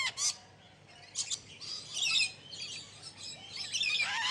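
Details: Exhibition budgerigars in captivity, heard more faintly: a few short chirps, then soft rasping warbles and squeaky rising notes blending together toward the end.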